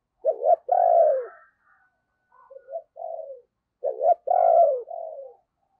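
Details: Decoy spotted dove cooing to attract wild doves in the morning. Two full phrases, each a quick double note then a long descending coo and a trailing softer one, with quiet chuckling notes between.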